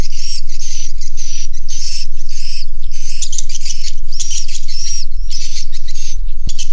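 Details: Swiftlets in a swiftlet house giving bursts of high buzzy chirps about twice a second, mixed with thin whistled notes, a crowded twittering chorus over a low hum.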